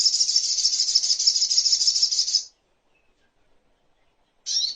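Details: Little spiderhunter (sogok ontong) song from a master recording for songbird training and bird therapy: a fast, shrill, even trill for over two seconds, silence, then one brief high chirp.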